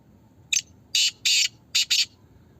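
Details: Black francolin in Pakistan, part of a voice competition: one short sharp note, then two long harsh buzzy notes and a quick closing pair of grating notes, over a quiet low background.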